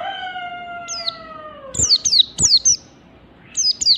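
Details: Mountain white-eye from Merapi singing in the "ngalas standar" style: a long, smooth, falling tone, then sharp high chirps swept downward in quick bursts, with a final pair near the end.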